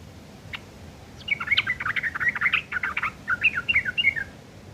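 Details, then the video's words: Yellow-vented bulbul used as tutor for long-tailed shrikes, chattering roughly: one sharp note, then a continuous scratchy jumble of quick chirps for about three seconds against background noise. "trucuk ngeriwik kasar isian burung CENDET"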